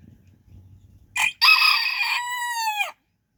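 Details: Backyard bantam rooster crowing while hens dust bathe nearby: a short harsh opening note, then a long strained crow that settles into a steady tone and drops slightly at the end, about two seconds long.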